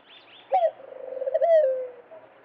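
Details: Single dove song phrase: a clipped introductory note, then rapid pulsed coos that build up and merge into a long, smooth, slightly falling tone. Soft twittering of small birds comes just before it.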